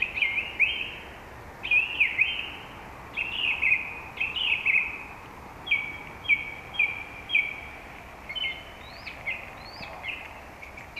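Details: Song thrush singing bright, clear phrases, each repeated two to four times before moving to a new one, over a steady hiss of wind or water; recorded along the Zauberwinkel and Kundler Bergweg.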